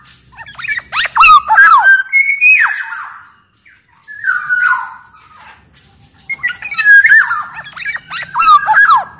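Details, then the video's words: Black-naped oriole from Sumbawa, a large-bodied type, singing vigorously, used as a lure and master song for caged birds: fluid slurred whistles near two kilotones broken by harsh nasal squawks, a brief pause, then a second burst. "Burung kepodang gacor SUARA cocok buat PANCINGAN MASTERAN SUARA PIKAT TERAPI podang agar cepat gacor"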